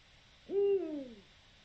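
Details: A single deep hoot from a Eurasian eagle-owl, recorded 7 October 2020: a low note that starts abruptly, holds steady, then slides downward as it fades, with faint background hiss.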